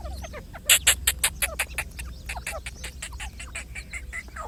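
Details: Grey francolin with its chicks, giving a rapid series of short, harsh clicking notes, about three per second, loudest early on and then fading, over a low rural background hum.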